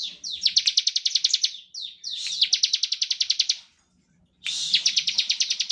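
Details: Singing bar-winged prinia (ciblek), ngebren style, used to trigger song in other prinias: three fast trills of sharp, buzzy, evenly spaced high pulses, each opened by a slurred note, the last after a clear pause.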